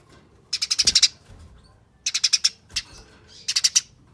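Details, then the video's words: Eurasian tree sparrow chatter from fighting, used as a lure so other sparrows call: short bursts of four to six rapid raspy notes with pauses between, plus a few soft low knocks. "Pancingan Gereja Tarung Nyerecet Speed Rapat Bikin Gereja Lain Ikut Bunyi Gacor"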